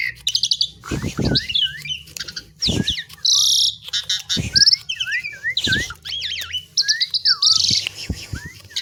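An Asian pied myna sings a busy, varied medley of quick rising and falling whistles, liquid gurgles and harsh grating bursts, with a few sharp clicks between phrases.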